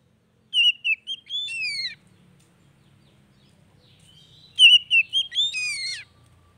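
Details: Oriental magpie-robin song for a bird that has stopped singing; two short phrases of whistled notes ending in a rising buzzy slur, separated by a quiet pause with a faint low hum.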